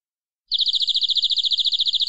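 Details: Local canary from the forest in full-isian song with luxurious cengkok: a pure, very even high trill of rapid identical pulses starting suddenly and continuing steadily, faint low rumble beneath.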